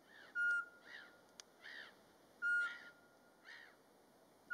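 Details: In March in Latvia, during daytime in the mating season and without playback, a Eurasian pygmy owl gives single flat, clear whistled notes about every two seconds, with softer arched calls from another bird between.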